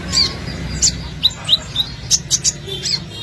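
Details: Olive-backed sunbird song used as a lure to attract birds: sharp, very high chirps and short ticking notes in quick irregular bursts, with a low steady background hum.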